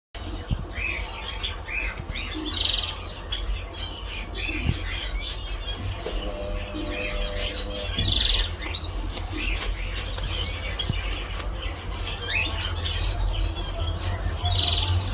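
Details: Cockatiel (Nymphicus hollandicus), calls.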